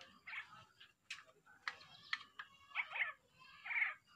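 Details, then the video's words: Sulawesi crow with a distinctive voice, giving a series of short harsh nasal calls, some clustered and rasping, several per second, with faint low background murmur. "Gagak Sulawesi suara unik"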